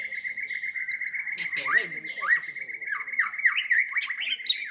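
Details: White-rumped shama fighting song meant to enrage rivals: a sustained, steady whistled tone runs throughout, overlaid with sharp downward slurs and high thin notes, and faint human voices briefly in the background.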